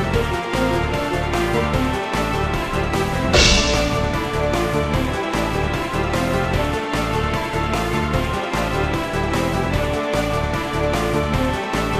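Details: Upbeat instrumental music with a steady beat and a brief cymbal-like swell; no animal sounds are heard.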